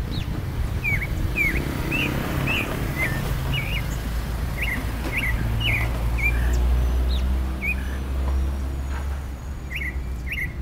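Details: Clay-colored thrush, the yigüirro, national bird of Costa Rica, giving a run of short, clipped, slurred notes, some rising and some falling, delivered in quick irregular series, over a steady low rumble of background noise.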